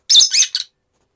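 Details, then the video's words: Pet rosy-faced (peach-faced) lovebird, on a cold day when it skipped its usual bath, giving three harsh, shrill squawks in quick succession, each loud and scratchy, over little more than half a second. "앵무새와 대화좀 해 보았어요"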